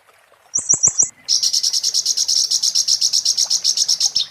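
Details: Konin white-eye singing in the 'muntah beling' style, a master song used as tutor material for magpie-robins: four quick high notes, then a long rapid buzzy trill of evenly pulsed notes at very high pitch.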